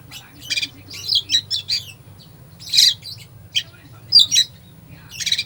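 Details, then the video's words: Oriental magpie-robin delivering a song packed with fill-in phrases, used to rouse a sluggish magpie-robin. Rapid clusters of chattering, buzzy high notes mix with clear whistles in short bouts, separated by pauses of about half a second. "Kacer full isian , cocok buat pancingan emosi Kacer lemot"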